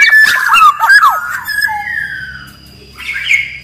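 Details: Black-naped oriole (kepodang) singing actively, used as a master and lure song for caged birds: fluty slurred whistles and quick down-sweeping notes, then a long level whistle and a rougher burst. A faint low hum sits underneath.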